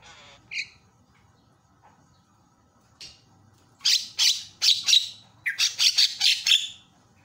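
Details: Javan myna in loud calling meant to provoke other mynas: a few soft notes, then a fast burst of about ten harsh, broadband squawks over three seconds.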